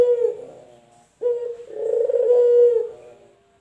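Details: Male collared dove, local or white variety, gives a two-part coo: a short low note, a pause, then a long, steady, rolling coo that fades out.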